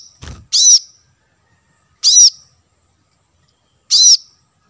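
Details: Plain-throated sunbird (kolibri kelapa, manggar) in lure audio for attracting wild birds: three sharp, high, arched chip notes roughly two seconds apart, with a low thump at the start.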